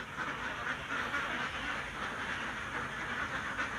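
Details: Farm ducks (itik) gathered at shared nests while laying eggs, a blurred, steady chorus of overlapping nasal quacks from many birds at once, with no clear pauses across the whole stretch.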